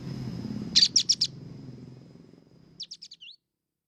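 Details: Singing white-shouldered triller: a fast run of four bright, high notes, then after a pause a quieter series of short notes ending in a brief upward whistle, against a low rumbling hum.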